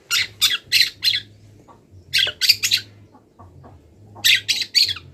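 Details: Long-tailed shrike not yet finished moulting yet keen to sing, delivering imitation-filled masteran song: quick bursts of three or four grating, squawky notes, separated by short pauses, over a faint low drone.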